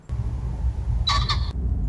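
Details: A common pheasant, apparently disturbed by something, gives a brief, harsh, loud two-note call near a reedbed in Kuban on a warm +13°C day, over a steady low rumble of wind blowing toward the hide.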